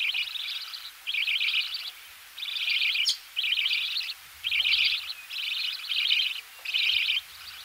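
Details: Budgerigar chicks calling while being fed in the nest, close up: separate buzzy, raspy bursts about half a second long, repeated roughly every second, with soft low knocking in the background.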